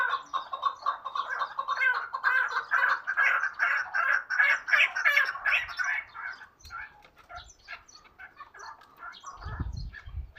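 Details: Hunting chukar partridge calling in quick, throaty chuk notes that speed up into a dense rattling series, then break off into quieter scattered clucks, with a few low thumps near the end.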